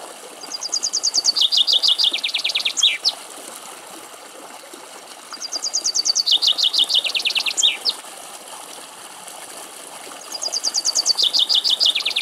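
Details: Male common chaffinch singing in Greek countryside while feeding on seeds at a bird feeding spot: three full songs about four seconds apart, each a fast descending rattle of trilled notes ending in a sharp flourish.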